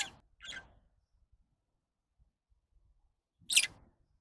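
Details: Lovebird giving three harsh, shrill chirps: two close together at the start, then a louder screech after about three seconds of quiet with faint tapping.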